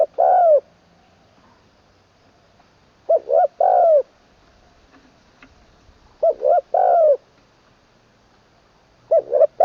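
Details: Spotted dove being schooled as a decoy bird, third session, singing the 'long kuk wai' style with a full mid voice. Four low cooing phrases roughly every three seconds. Each is a quick double note and then a longer falling coo, with faint background sounds.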